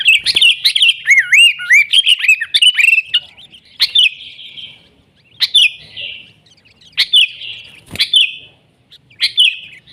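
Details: Sooty-headed bulbul from the wild, in lively nggaruda-style song: looping, liquid whistled notes rising and falling in quick succession, then single sharp chirps spaced about every one and a half seconds.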